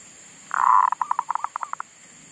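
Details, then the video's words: Decoy zebra dove in a garden, singing again after wild monkeys had disturbed it and silenced it; one loud drawn-out opening note followed by a quick run of about a dozen short, clipped coos. "Pikat andalan sudah mau manggung lagi di kebun,Sehabis di ganggu MONYET LIAR !!,sempet mogok bunyi"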